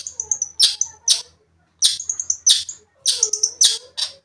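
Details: A long-tailed shrike sings lively to provoke a rival shrike. Loud scratchy bursts are interwoven with thin high whistles, in three quick groups split by short silences.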